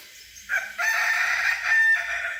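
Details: A Kukuak Balenggek rooster from a hobby flock lets out a single sustained, bright crow note. The note holds steady for about one and a half seconds after a short rising start.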